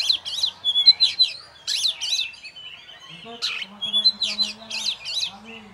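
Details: Oriental magpie-robin, a prize-winning cage bird hung by itself, delivers fast rollicking whistled phrases and sharp chips in rapid bursts, a short pause in the middle, with a low droning tone and faint voices beneath.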